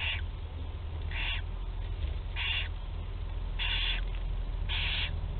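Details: Rasping hiss-screeches from young barn owls at their first feeding in Théding, 8 July 2020, five broad noisy bursts in about five seconds, each brief and breathy, with constant low rumble behind.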